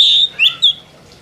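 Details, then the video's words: Oriental magpie-robin singing loudly and continuously, a brief fragment: a sustained high whistle followed by two quick slurred whistled notes, then quiet. "BURUNG KACER GACOR NGEROL PLONG"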